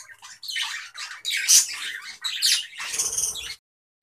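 A budgerigar chatters in scratchy, buzzy bursts of warbling, a courtship sound of the breeding season.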